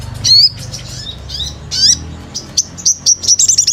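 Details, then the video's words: Sunbird used as a lure call gives high, thin, bright chirps and short upswept whistles, first in scattered notes, then in a quick run of sharp ticks near the end, over a low hum. "Pancingan SOGON GACOR"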